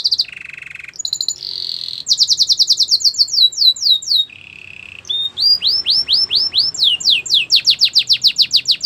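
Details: Canary training song: fast, high, sweet trills in changing tours, with rapid repeated downward-swept whistled notes, a steady buzzy rolled phrase, and lower rattling segments, about three notes a second or faster, over faint low background noise.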